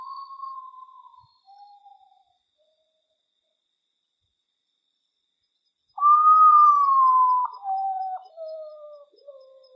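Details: Common potoo calling in the wild: a loud, mournful whistled note that holds steady and then steps down through successively lower, fading notes. A fainter similar descending phrase is heard at the start, followed by silence.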